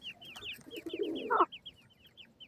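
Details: Several grey francolin chicks peep continuously during feeding, thin descending notes coming several per second, briefly joined by a louder rough burst of lower-pitched noise at the midpoint, then peeping alone again.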